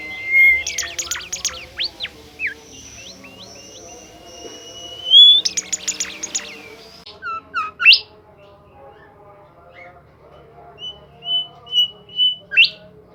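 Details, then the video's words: Bimoli bird in lively song, mixing rapid buzzy trill bursts, long steady high whistles and sudden sharp upward sweeps, with soft repeated short whistles between phrases. "super jos burung Bimoli gacor"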